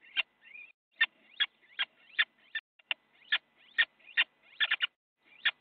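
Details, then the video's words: Little owl fighting in a nest box in the Netherlands, filmed by a live cam on 8 January at 8:42, one owl biting another: sharp harsh squeals and yelps, steeply rising then falling, repeated in quick irregular bursts about twice a second. "Little Owl - fight in the nest box an Owl has bitten the another"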